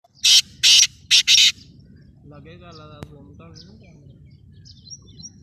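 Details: Black francolin, known locally as kala teetar, calling from Sindh or Punjab: four loud harsh grating bursts in quick succession, followed by quieter murmuring and faint background sounds.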